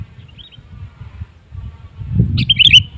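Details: Sooty-headed bulbul song used as a lure to get other bulbuls singing: after a quiet stretch of low rumble, one short bubbly, warbled whistled phrase bursts out near the end.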